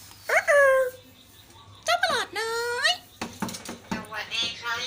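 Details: Common hill myna from a group of four talking siblings copying human words: several short, bright, sliding speech-like phrases, the second one longer, followed by softer chatter with people talking nearby.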